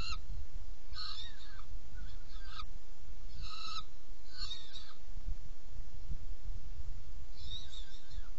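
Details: Saker falcon at a nest box during feeding, 17 June 2018 at 10:31; short harsh harmonic calls come in bursts about every half to one second, over a steady low rumble of background noise.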